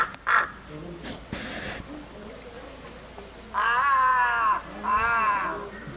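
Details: Crow calls used to attract crows: two long, harsh, nasal caws in the second half, each about a second, after shorter scattered calls over a steady high hiss.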